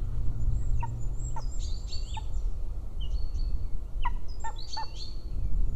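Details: Golden eagle (Aquila chrysaetos) at a nest near a military training ground in Estonia, 1 April 2024, 11:00: short, sharp, downward-slurred yelps, irregularly spaced, with thin songbird twitters over a steady low rumble.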